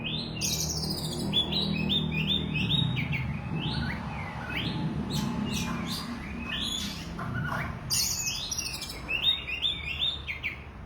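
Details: Oriental magpie-robin singing continuously: varied whistled phrases and short repeated slurred notes at high pitch, over a steady low rumble of background noise.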